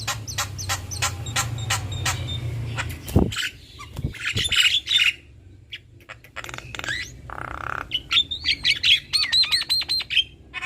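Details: Male and female black-winged starlings singing a duet: harsh squawks and clicks, then strained rasping notes and a run of quick whistled, warbling phrases.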